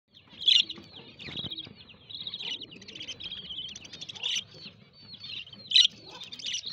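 Young budgerigars chatter in a busy stream of high, scratchy chirps and warbles, with a few louder squawks.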